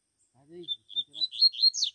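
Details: Wild double-collared seedeater singing in the bush: a few short high whistled notes building into a quick, bright twittering flourish, with a man's voice talking low underneath at the start.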